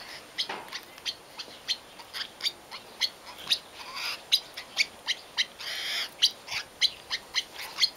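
Palawan peacock-pheasant giving a long run of sharp, dry clicking notes, two to three each second and evenly paced, over a thin, steady high-pitched whine.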